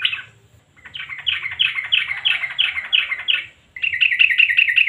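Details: Sooty-headed bulbul in lively 'nguklik' style, used as a lure so silent birds join in: a burst of chattering notes, then a run of about nine quick, clipped, buzzy notes, a pause, and another rapid series.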